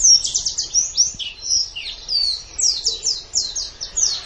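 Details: White-eye (pleci) singing gacor on a tutor recording: rapid series of high, sharply descending chirps, grouped in quick bursts, with a short warbled phrase partway through and little other sound.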